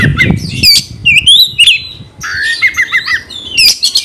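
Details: Oriental magpie-robin (kacer) singing energetically, a song used to provoke a fighting response from rival kacer. Bursts of high whistles, sharp squeaky notes and a rapid run of repeated chips follow one another with brief pauses, with faint low rumbling underneath.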